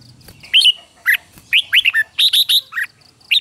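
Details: Red-whiskered bulbul morning song used in training: spaced, clear slurred chirps, followed by a quick series of bright repeated notes, over a soft low background hum.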